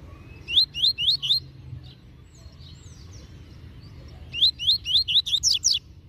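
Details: Double-collared seedeater (coleiro) master singer performing the tui tui zel zel song: two bursts of four to six loud, sharply upslurred whistled notes in quick succession, separated by a quieter gap with faint chirps and low rumble.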